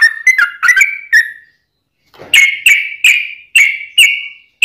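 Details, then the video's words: Yellow-vented bulbul 'ropelan' song for training and luring birds; a quick run of warbled whistles, a one-second pause, then separate bright whistled notes about every half second. "Kicau Trucuk Ropelan Panjang Ngelituk Tanpa jeda buat Masteran"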